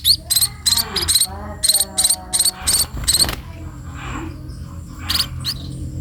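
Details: Sparrow being fed, giving short, sharp rising chirps in quick bursts, each note sweeping upward, with several pauses and a lower murmur of background noise.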